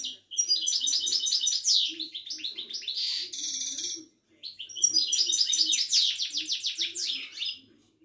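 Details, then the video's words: Caged Moroccan Widani goldfinch in full song: long rapid runs of high twittering and trilling notes, a brief harsh buzzy note in the middle, then another long twittering run. "طائر المقنين الزين او الحسون الويداني"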